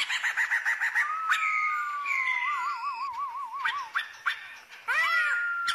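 A female laughingthrush gives fast, rattling chatter, then a long, steady whistle that wavers into a quivering trill before more harsh chatter.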